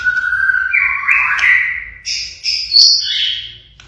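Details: White-rumped shama, a pied-plumaged bird in full song imitating a siren: a sliding whistled note rising from low to high, then loud, higher whistled phrases and a sharp accent.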